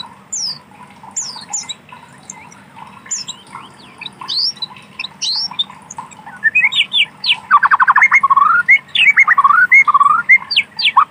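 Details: White-rumped shama in wild forest: quiet scattered high notes at first, then a loud fast series of rapid repeated notes and whistled slurs, with low constant hum beneath.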